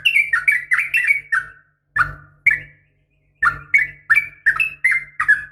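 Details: Yellow-vented Bulbul, a female calling a male: bright bubbly whistled notes in quick bursts, a short break of two sharper single notes, then the rapid warbling run resumes.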